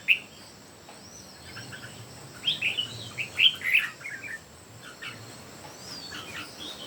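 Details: Three red-whiskered bulbuls in song competition; a loud cluster of rapid liquid chirps and warbles mid-clip, quieter scattered notes before and after, a faint steady high hum throughout.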